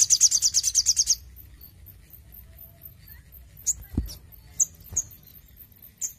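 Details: Crimson sunbird kept under intensive care ends a fast, buzzy high trill in the first second, then falls quiet before several scattered sharp high chips and a soft knock.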